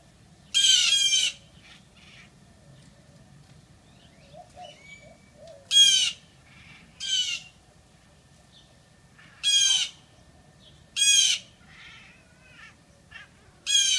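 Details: Blue jays give loud, harsh, raspy jeers in short bursts, yelling at a Siamese cat that talks back.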